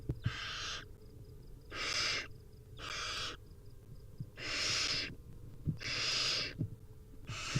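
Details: Wild barn owl nestlings begging at feeding time, a rapid series of six harsh, hissing snores of varying length, with faint scratching and shuffling sounds between them.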